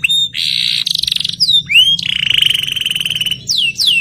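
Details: Canary song meant to rouse a stressed, silent canary into full singing; loud buzzy trills alternate with sweeping upward whistles, over a steady low hum.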